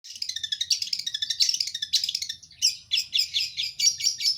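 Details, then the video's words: Long-tailed shrike singing a rapid, dense, varied chattering song of high twittering and scratchy notes, with brief pauses and a slightly changed phrase style in the second half; no other clear sounds. "cendet dorong ekor"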